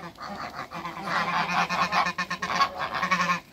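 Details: Farm Toulouse geese in Greece, three birds meeting three Muscovy ducks, calling in a dense burst of loud, harsh, nasal honks repeated in quick succession with little break.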